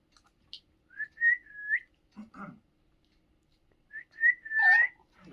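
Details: Indian ringneck parrot whistling two clear phrases, each a few quick notes ending in a long slurred tone, separated by low scratchy chatter and soft clicks indoors.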